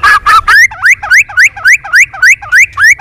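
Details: White-rumped shama in competitive song: two harsh rasps, then a steady run of loud rising whistled slurs, about three to four per second, evenly spaced.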